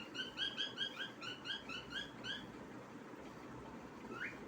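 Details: Pet cockatiel singing a quick run of bright, chirpy whistled notes, then one rising whistle.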